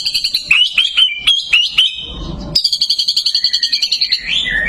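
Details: White-rumped shama (murai batu) delivering choppy high notes in quick groups, a short pause, then a rapid, regular high trill that ends in a downward slur.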